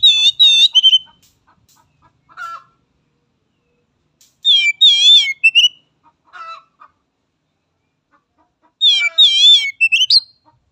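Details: Oriental magpie-robin song used to train young birds: rich, warbling, vibrato notes with harsh overtones, given in short phrases about every four and a half seconds, each followed by a softer lower note.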